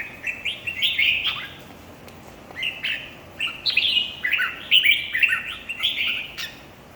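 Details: Competition singing of red-whiskered bulbuls: clusters of bright, slurred whistles in quick bursts, a brief pause near two seconds, then denser chattering phrases resuming.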